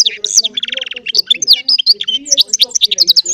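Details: Hybrid finch pouring out goldfinch-type song, a dense fast mix of sharp chirps, a short buzzy rattle and repeated high slurred notes with no break.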